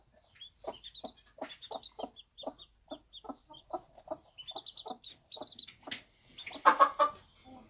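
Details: Bantam mother hen on a small backyard farm tending one-day-old chicks, giving a steady run of short low clucks while the chicks peep in high sliding notes, ending in a louder burst of clucking.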